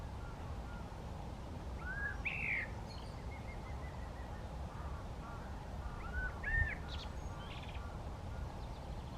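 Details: A white wagtail foraging on a lake shore at Eijsder Beemden, Limburg, Netherlands, on 4 April 2023 gives a few brief, high chirping calls, spaced several seconds apart, over a steady low rumble of wind or distant traffic.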